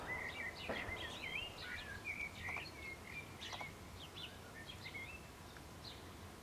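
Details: A house sparrow chick sits in food while its mother feeds it, giving rapid, insistent high chirps, several per second, at an even pitch over a steady outdoor hiss.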